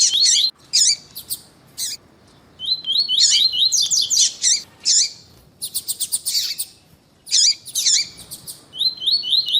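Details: Double-collared seedeater (Sporophila caerulescens): a male sings bright, high, twittering 'tuí tuí' phrases in quick bursts while a female gives short sharp calls in the gaps, used to stimulate males to sing.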